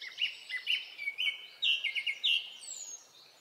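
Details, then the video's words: Song of a Japanese thrush in a Hokkaido woodland in early summer, Japan: a fluent series of bright whistled phrases, each a quick downward or level note, delivered in close succession over about three seconds. "クロツグミの鳴き声（さえずり） / Japanese Thrush"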